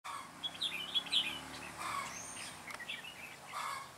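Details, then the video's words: Red-whiskered bulbul used as a caged decoy for trapping, recorded on 9 June 2017, singing to lure wild birds; short bright warbled phrases and chirps, with a faint steady background hum. "Bẫy chào mào Mũ lân Ché nẹt mồi"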